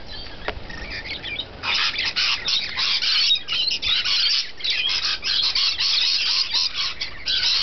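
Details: After a quieter opening, feeding rainbow lorikeets break into a dense, continuous run of harsh screeches and grating squawks.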